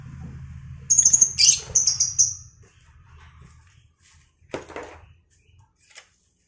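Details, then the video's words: Home-bred lovebird pair being matched for breeding; a sharp, shrill high whistled screech with short chirps lasts about a second and a half, then a brief scratchy burst follows, with low room hum underneath. "Pasangan Burung Lovebird Paling Rame"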